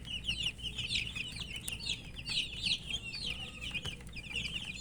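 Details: Several thirsty coloured baby chickens peep for water, their high, quick, slurred chirps tumbling over one another without pause above a low steady hum.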